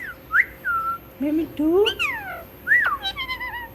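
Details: Pet talking parrot, said to repeat words like a human and to say 'Mitthu Mitthu'. Clear whistled slides rise and fall, mixed with short speech-like warbled notes, in a quiet indoor setting.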